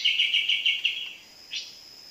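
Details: Sooty-headed Bulbul heard while being trapped: a brief burst of quick pulsed high notes, then silence and a single sharp rising chirp, with light background noise.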